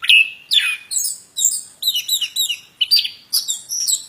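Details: Plontang bird song of quick rising and falling whistles and buzzy chirps, roughly two phrases per second, varied and irregular.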